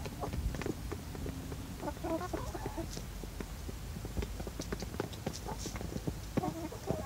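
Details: Australorp and Barred Rock hens eating moistened feed in the evening, sounding happy: rapid dry pecking clicks scattered throughout, with low soft clucks and a brief murmuring group call near the middle.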